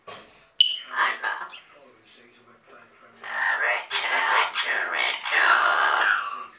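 Double yellow-headed amazons give raspy, speech-like squawks and chatter in uneven bursts, louder in the second half, after a brief sharp electronic beep.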